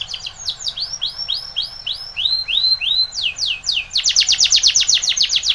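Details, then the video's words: Timbrado canary from Spain in a training song: a steady series of arched, rounded notes repeated about twice per second, speeding into a dense, loud run of quick downward strokes. "Timbrado canary's most powerful song for training - CANARY TRAINING SONG"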